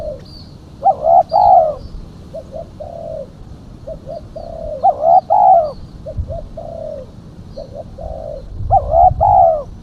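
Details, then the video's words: Spotted dove female lure call: strong, harmonic-rich paired coos come about every four seconds, alternating with fainter phrases of two brief notes and a drawn-out falling coo. "Suara burung tekukur betina /pikat tekukur betina"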